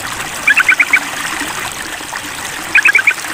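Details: Two brief chattering bursts from a sooty-headed bulbul calling a rival during a mental test, each a handful of fast, bright notes, set against a continuous trickling, rushing background.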